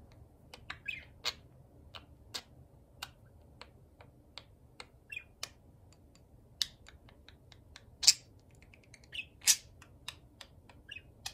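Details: Pet parakeets, one of them moulting and quieter, chatter at a reflective hard-drive platter indoors: scattered sharp clicks, ticks and short squeaky chirps about every second or two over a steady low mechanical hum.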